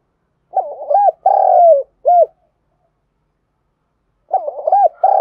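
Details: Spotted dove lure recording of urging and calling coos meant to draw in wild doves: a phrase of quick stuttering notes, a long mellow falling coo and a short closing note, then the phrase starts again after a two-second pause.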